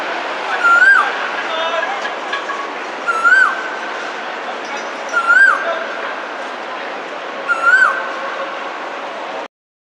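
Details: Male Asian koel in spring, calling for love amid a bustling Hong Kong street; four brief rising whistled notes spaced about two and a half seconds apart, with constant traffic-like city hum underneath.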